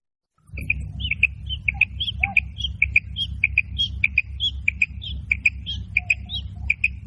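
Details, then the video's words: Female quail: a fast series of high doubled notes mixed with extra thin rising chirps, running continuously over a strong low rumble. "Female Quail Sound 2026 / مادہ بٹیر کی آواز بہت ہی خوبصورت"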